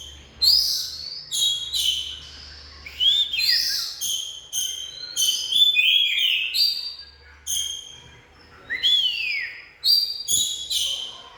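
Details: Oriental magpie-robin singing a varied phrase of bright whistled notes, upward and downward sweeps mixed with short buzzy chips, delivered in bursts with brief pauses between them.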